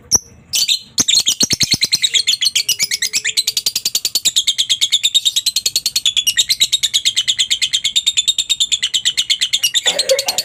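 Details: Lovebird ngekek song for training pet lovebirds: after a few abrupt knocks at the start, a continuous, fast rattle of shrill, raspy notes runs for about nine seconds, with a brief clatter at the very end.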